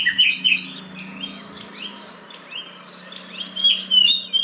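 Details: Oriental magpie-robin song as a lure for reluctant caged birds: whistled notes at the start and end, quieter scratchy twitters between, over a steady low hum.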